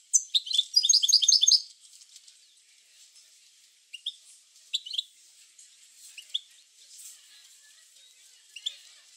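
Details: European goldfinch, recorded to encourage goldfinches to sing, opens with a quick, jingling twittered phrase of about one and a half seconds, followed by sparse, thin chirps.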